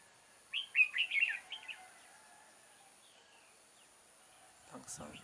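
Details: Red-whiskered bulbul serving as a trapping decoy, recorded 6 October 2018: one lively phrase of bright, bouncing slurred whistles early on, then quiet, ending with a burst of rustling noise.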